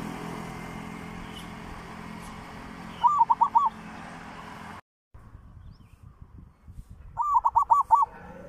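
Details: Zebra dove; cooing song; used as playback to lure other zebra doves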